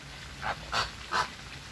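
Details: Flamingo honking: three short, nasal notes spaced about a third of a second apart, against a steady hiss.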